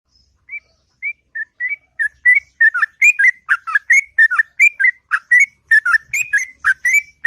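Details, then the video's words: Sooty-headed bulbul's morning ngropel song opens with a few spaced single whistles, then builds into a fast, continuous chatter of bubbly rising and falling notes, long and melodious. "Burung Trucuk Ngropel Panjang & Merdu Di Waktu Pagi"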